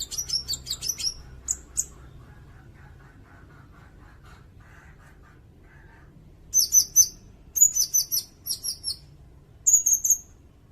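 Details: Sirindet song intended as tutor material for songbirds and as a bird-catching lure: a burst of high shrill chirps, then a quiet stretch with faint lower notes, then more piercing high phrases near the end.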